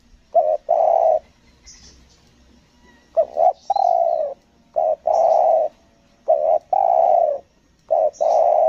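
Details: Lombok spotted dove kept for decoy trapping, singing 'selang nguku gagap' style. Five repeated phrases across nine seconds, each a stuttering pair of short coos then a sustained low coo, with occasional faint high chirps from another bird.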